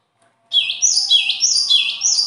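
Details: After a brief silence a bird bursts into fast, high chirped song, notes slurring downward and curling up again in close succession, continuing to the end.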